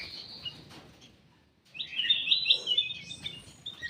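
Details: Ruby-throated bulbul in a private aviary: a thin note, near silence, then a rich burst of warbled, slightly buzzy whistling over soft background noise.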